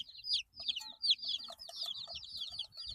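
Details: Baby chickens aged 8 days calling together, high sliding peeps run into one another in a continuous chatter over low rumbling and knocking noises.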